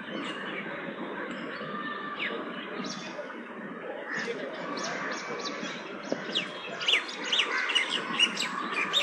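Bank mynas chatter in a busy flock with harsh squawks and short rising whistles that build in the second half, over steady background hiss.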